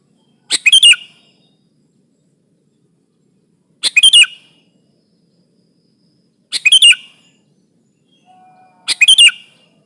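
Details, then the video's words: Sooty-headed bulbul singing vigorously to press a rival, used as a trapping lure: four short bubbly, chattering phrases spaced about three seconds apart, each a quick burst of bright notes, with a quiet background. "Suara burung kutilang gacor menekan lawan, pancingan pikat kutilang ribut & kutilang diam"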